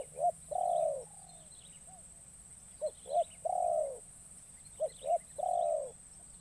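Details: Decoy spotted dove calling in the forest to draw wild doves on its first trip outdoors: three phrases, each two brief coos followed by a long, rolling, drawn-out coo, spaced roughly two seconds apart, with soft background hiss.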